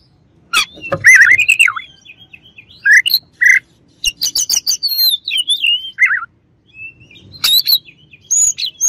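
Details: Oriental magpie-robin singing a song meant to agitate rival birds: loud bursts of varied whistles, sharp clicks and warbled phrases, with twisting notes rising and falling between short silent pauses.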